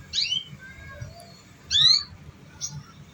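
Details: Training lure of canary sound for untrained young canaries: two loud bright chirps with downward-trailing harmonics, separated by soft thin whistles.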